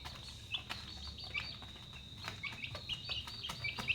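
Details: Chickens at dinner time: thin, high chick peeps scattered over a constant shrill background whine, with occasional taps and clicks.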